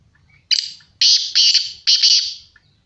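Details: Black francolin, known locally as kala teetar, giving a loud harsh grating call in several rasping bursts, each about half a second long, with faint low rumbling in the background.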